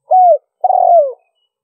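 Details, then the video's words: A spotted dove, recorded for luring wild doves, gives two low coos: a short smooth note falling at the end, then a longer, buzzier coo that steadily drops in pitch. Quiet background. "Tiếng chim cu gáy mp3 liêu ròng kích bổi hiệu quả"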